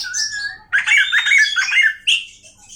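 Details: Oriental magpie-robin with a song meant to excite other magpie-robins: a clear whistled note, then a harsh, dense warble and a short final burst.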